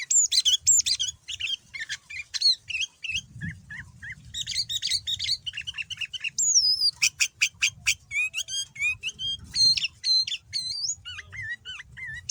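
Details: Persistently singing male sooty-headed bulbul with a varied song full of learned fills, used to draw replies from other bulbuls: a long, fast medley of chirps, slurred whistles and sharp rising notes, with a steady rapid rhythm toward the end.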